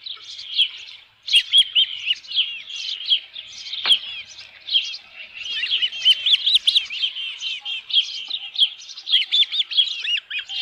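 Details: Osprey at the nest with a headless fish, 27 June 2018 at midday: a long, busy series of high, piping chirps, many of them up-slurred, keeps going with hardly a break, plus one sharp click.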